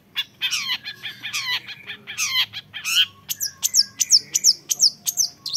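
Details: Young long-tailed shrike: grating, buzzy chatter with a strained rasping quality for three seconds, then a neat run of sharp, high, downward-flicking notes about three per second.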